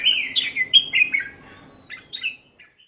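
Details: Short burst of song from a caged red-whiskered bulbul: a rapid sequence of clear descending whistles, followed by two softer fluty notes and a faint trailing chirp.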